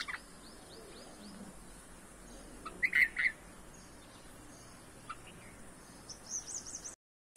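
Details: Red-vented bulbul feeding its hungry chicks in a home garden; a short loud cluster of harsh chirps midway, faint thin high notes at the start and again near the end, over a quiet background.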